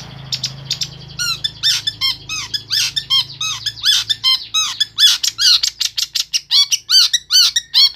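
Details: Long-tailed shrike in Pemalang, Central Java, delivering isian sekebon song: a rapid run of ringing, bouncing notes repeated more than twice per second, growing louder and denser toward the end, over a low background hum.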